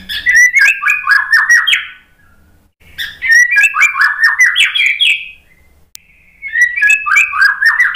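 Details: Murai batu, the white-rumped shama, in a lure song meant to rouse post-moult birds to answer. Three bursts of fast, varied whistles and sweeping slurred notes, each about two seconds long, separated by short quiet gaps.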